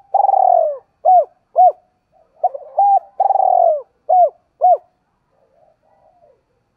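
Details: Lure spotted dove cooing to stimulate other doves into quick cooing; a long rolling coo, then short clipped coos, a second long rolling coo and more short notes, fading to faint sounds at the end.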